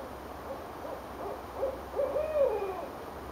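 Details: Owl calling back and forth with another in Richmond, Virginia, in January 2012: soft short hoots build to a louder, stretched final hoot that slides downward.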